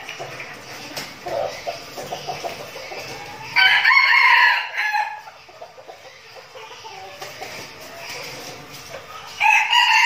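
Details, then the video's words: Captive red junglefowl decoys rehearse before forest sessions in Bình Phước province, Vietnam. Soft clucks and scratching lead into a strong crow of more than a second, with another loud crow starting near the end. "Bầy gà rừng mồi tập luyện chuẩn bị đi rừng giao lưu"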